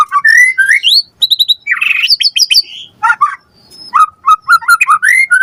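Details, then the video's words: White-rumped shama (murai batu) in full lure song meant to prompt a response: rich varied phrases of whistled slurs, rapid repeated high notes and a harsh burst, loud and continuous with short pauses. "Pancingan Murai Batu Gacor Cepat RESPON Langsung NYAUT Jadikan Suara Burung Murai Gacor Full Isian"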